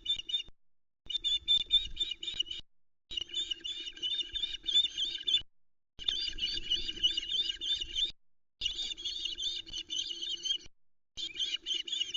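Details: Female osprey at the Loch Arkaig nest in the Arkaig Community Forest, 12 July 2020, alarm calling at an intruder. Bursts of shrill, piercing whistled notes with sharp harmonics run in long runs of several seconds, broken by short gaps.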